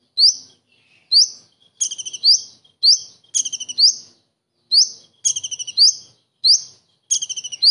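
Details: Common iora singing with a kingfisher imitation: sharp rising notes near the top of its range alternate with rapid stuttering bursts of four or five chips, phrases separated by short pauses.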